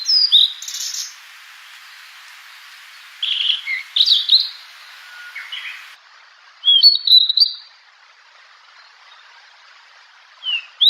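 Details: Fork-tailed sunbird, known locally as sulingan or tledekan laut, in a natural lure recording: high thin chirps and short buzzy phrases come in scattered bursts, with a sharp trilled burst near the middle and quiet gaps between.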